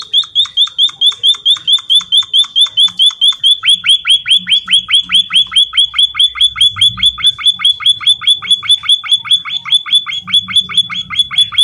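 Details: Emprit kaji singing vigorously, a long unbroken run of about fifty bright, falling whistled notes at an even quick pace, the later notes dropping lower, with a low background rumble.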